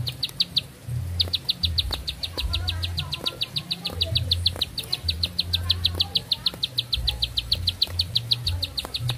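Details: Bar-winged prinia singing at length: a brief pause, then a long, even string of sharp high chips delivered rapidly, over a low rumbling hum.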